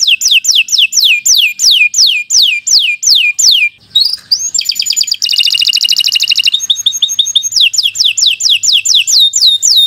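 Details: Canary in full, long 'gacor' song used for tutoring beginner birds: steady series of sharp downslurred whistles about three per second, then a dense buzzy trill and a return to the repeating downward notes.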